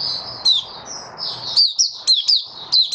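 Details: Male white-eye's opening song (Mata Puteh), dated 08012022: a soft, high warble that breaks into loud, crisp, rhythmic chirps roughly every quarter second, with low background noise.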